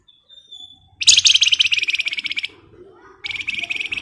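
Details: Javan white-eye, a lure song for training songbirds: after a thin steady whistle, a dense, rapid, buzzy chattering burst of fast repeated notes runs about one and a half seconds, then resumes after a short pause.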